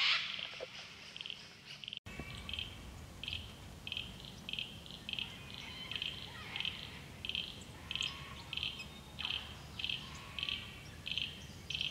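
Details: A restless grey fantail dipping and darting after insects in rain on the Illawarra Escarpment, Australia. After an initial loud rustle, there is a steady series of brief high chip clusters, roughly one every 0.6 seconds, over a soft ambient rumble.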